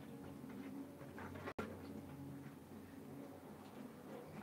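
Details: Hens giving soft, short clucks in quick irregular bursts, some notes slightly nasal and rising, with a steady low hum underneath and a brief silent gap midway.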